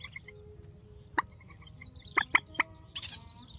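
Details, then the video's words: Grey-headed swamphen: a few soft nasal notes, then several loud clipped calls close together and a brief raspy burst at the end. "Tiếng trích TRÍCH GHÉP SỐ 4, tiếng trích mạnh"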